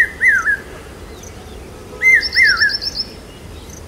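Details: Common hawk-cuckoo calling loudly during the monsoon around Aurangabad, a call taken as signalling rain: loud, whistled notes that swoop up and then drop, in short bursts, with another bird adding a quick, high, chipping trill.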